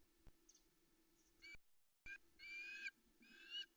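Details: Female osprey waiting on the Loch Arkaig nest in misty early light: a few drawn-out, high whining calls after a quiet start, over a faint steady background hum.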